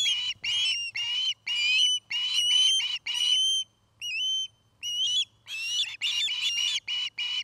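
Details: Osprey calling at a Charlo, Montana nest, camera recording dated 09-05-2018: loud, shrill whistled chirps, some ending in thin upswept tails, with a few slurred rising notes midway before the chirping resumes.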